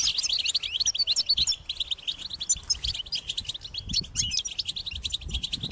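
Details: Hungry European goldfinch chicks beg for food from their parents with shrill, insistent calls, a crowded run of fast twitters and short trilled notes throughout.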